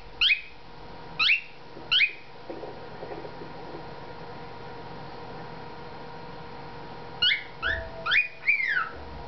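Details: A male pet cockatiel wearing a collar, singing again after three days of silence following surgery, gives bright, downward-sweeping whistles in short bursts, with a television talking faintly behind.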